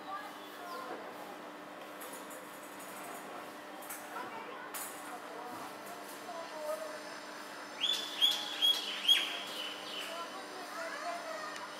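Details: Common mynas sit chattering and preening in a eucalyptus tree after a heavy downpour in Bangalore, August 2021; a quick burst of four sharp, ringing notes near the end over a steady low hum and faint murmur.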